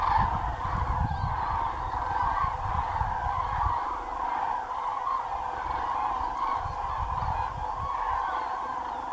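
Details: Common cranes in a large flock over Doñana National Park marshland, Spain, flying to roost for the night; massed rolling trumpet calls overlap continuously, with bursts of low wind-like rumble in the first four seconds and again near seven seconds.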